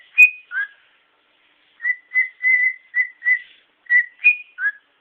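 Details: A male pet cockatiel whistles as part of his repertoire: clear, pure short notes, mostly level, with a few falling slurs, spaced in an uneven rhythm.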